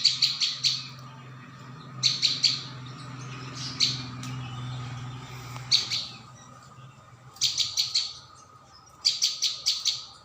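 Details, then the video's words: Prinia lure call: quick clusters of sharp high chirps with longer gaps between, plus a soft low droning hum throughout. "Mp3 pikat burung ciang"/ prenjak bawah"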